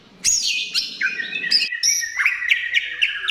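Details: White-rumped shama singing strongly to lure other shamas into song: a sharp high note opening into clear whistles, then a sustained warbling, trilled phrase.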